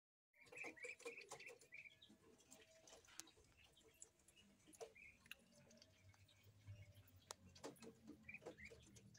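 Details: Jumbo Muscovy ducklings on an Indonesian duck farm peep in short, high, repeated chirps over soft tapping and shuffling.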